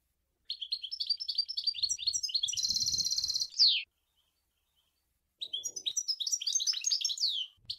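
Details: Goldfinch song in the Sour El Ghozlane style: a rapid series of repeated twittering notes leading into a harsh buzzy nasal stretch and a falling slur, then after a pause a renewed liquid chattering phrase.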